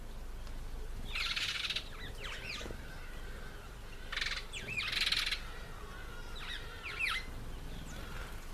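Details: An African green pigeon (Treron calvus) eating apple gives repeated harsh, crackling pulse bursts mixed with sharp downward-swooping whistles, several phrases across the recording against steady low background hum.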